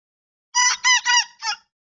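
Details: Two-and-a-half-month-old young rooster giving its first-ever crow in the evening: a brief, squeaky, breaking cock-a-doodle of four harmonic notes, the final one shorter and detached, with no other sounds.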